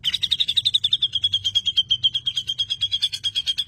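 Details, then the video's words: Grey-cheeked bulbul song used to make other birds sing, with coarse bursts and a long rolling run: a fast, even series of high chirping notes, about seven per second, sustained throughout. "Cucak Jenggot Isian Full Tembakan 🔥 Bikin Burung Lain Panas!"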